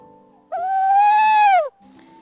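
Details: A male tawny owl gives contact calls to his mate after finding her gone from the nest and no chicks after a failed clutch in February: a single long, hollow hoot of just over a second, steady then dropping, over soft music.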